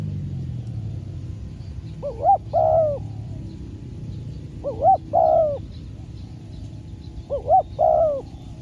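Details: Trained spotted dove decoy out for trapping practice: three soft, mellow coo phrases, each a short note followed by a longer rolling coo, repeated about every two and a half seconds over a steady low rumble.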